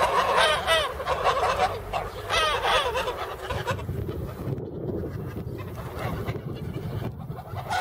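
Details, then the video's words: Geese in Poland guarding a property in place of dogs, sounding off at strangers: a burst of loud, raucous overlapping honks for about three seconds, then quieter scattered honks over low rumbling background noise. "Guardian geese"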